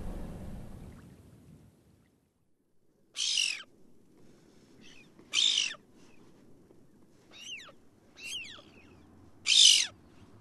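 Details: Ivory Gulls, a couple flying over sea ice near a carcass at night near Resolute, Canadian Arctic, give three harsh, high, screechy calls a few seconds apart, with thinner falling whistled notes between; a low rumble at the start, otherwise quiet.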